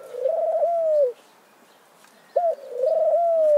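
Mourning Dove giving low, hollow cooing notes, each a soft sliding coo about a second long, repeated after a pause.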